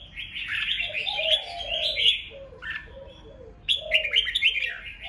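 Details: Red-whiskered bulbul contest song, used to provoke wild-caught rival birds into singing back: bright, warbled whistled phrases in bursts of about a second, with a pause midway, over a low, soft cooing sound that repeats beneath.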